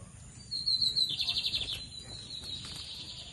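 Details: Lined seedeater (bigodinho) singing in a Brazilian song contest between two males; a brief high, rapid trill repeated in quick pulses, with steady background hiss.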